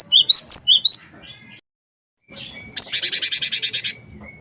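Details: Energetic cinereous tit (gelatik batu wingko), played to prompt other birds to sing: a few quick high whistled pairs, a short silence, then a sharp note leading into a long buzzy, rattling churr lasting over a second.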